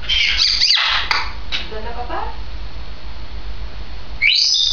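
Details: A two-year-old female grey parrot, 16 May 2010: a shrill screechy call opens, softer chattering notes follow, and a sharp rising squawk ends the sequence.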